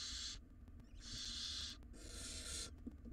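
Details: Wild barn owl nestlings in a monitored nest box, tugging at a very large rodent. Three harsh, broadband hissing screeches of about half a second each, separated by short pauses, with faint scuffling underneath.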